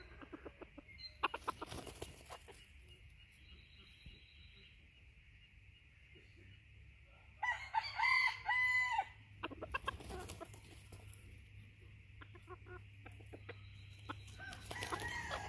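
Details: Bantam junglefowl rooster performing a courting dance; a harsh, strained crow bursts out around the middle with ragged broken tones, amid scattered clucks, clicks and a steady low background hum.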